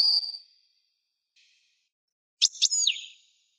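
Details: European goldfinch song from 1998: a thin, drawn-out whistled note fading away, a long quiet gap, then sharp clicking chirps leading into a twangy, falling twitter.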